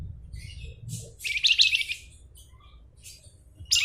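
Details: Flamboyan bird: a short, bright flurry of quick twittering notes lasting about half a second, framed by softer high chirps and a faint low hum.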